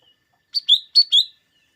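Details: Lesser green leafbird, called cucak daun locally, sung to stir green leafbirds before competitions: a pair of crisp two-part phrases, each a short high chirp dropping into a longer ringing downslur.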